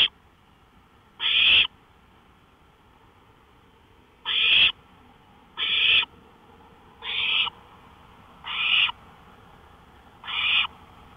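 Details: Harsh, breathy screeches from an owl on a porch at 1:53 AM, May 5, 2013, about seven bursts across eleven seconds, a long gap early on, then calls every one and a half seconds.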